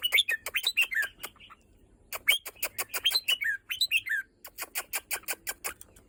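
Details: Caged red-whiskered bulbul singing bursts of bright, slurred whistled phrases mixed with rapid sharp clicks, pausing briefly before resuming, over a faint low hum.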